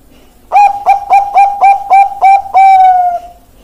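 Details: Bangkok-type zebra dove song: seven evenly spaced, staccato, mellow coos followed by one long, smooth, slowly falling final note in a quiet setting.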